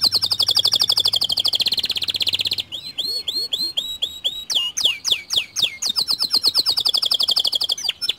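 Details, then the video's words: White canary singing to prompt other canaries: a fast rolling trill, then varied rising and falling whistled notes, ending in another rapid high trill. "Pancingan Kicau Kenari Putih Bikin Kenari Lain Ikut Gacor Dor"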